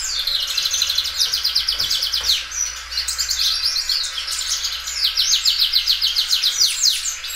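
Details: Loud-singing Belgian canary, well kept, drawing out its song again and again: rapid rolling trills and buzzy repeated phrases, high and continuous, with brief pauses between bursts.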